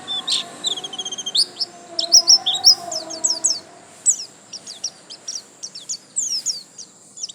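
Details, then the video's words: White-eye song of quick, high twittering notes and short rising whistles delivered in uneven bursts, with a soft low tone sliding in the background. "Pleci Gacor lasroll"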